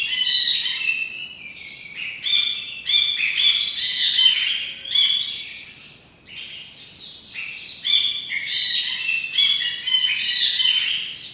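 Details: Ashy bulbul (Brinji Kelabu) calling in dense bursts of squeaky, chirping notes, repeated in clusters separated by short gaps, lively and chattering throughout.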